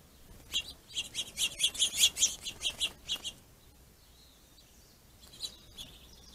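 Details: Finches battling over plentiful food, behaving territorially: a fast, rising then fading string of about a dozen sharp, high chirps, followed by quiet and a couple of softer chirps.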